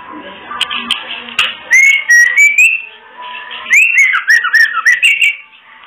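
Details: Kretekan call of a female oriental magpie-robin, played to stir breeding condition in males lacking drive or still mentally unsettled. Two runs of rapid rising and falling whistled notes, the second run choppier, over continuous background hiss.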